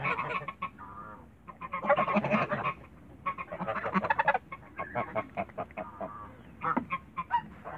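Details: Toulouse geese in the backyard calling in loud clustered bursts of harsh honks, separated by brief quieter gaps, with single honks scattered toward the end.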